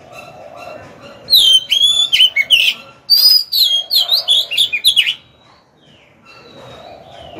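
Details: Decoy Oriental magpie-robin singing to lure wild birds into a fight. It pours out a nearly four-second stream of rich, varied whistles and warbling slurs, then goes quiet.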